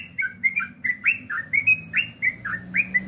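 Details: Ropel-style song of a sooty-headed bulbul, with fast chains of short, clear whistles that dip and rise in pitch, packed closely together over a soft low background rumble.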